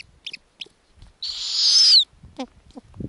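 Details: Snowy owl nestlings in the Arctic being fed lemmings: brief squeaks, then one loud, raspy screech lasting almost a second that brightens and drops away at the end, followed by more short squeaky notes.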